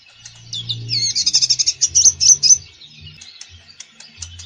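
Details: Common iora (konin) full song used to coax quiet birds: a dense, buzzy trilled phrase of fast repeated notes building in loudness, then fading into soft scattered twitters over a faint low hum.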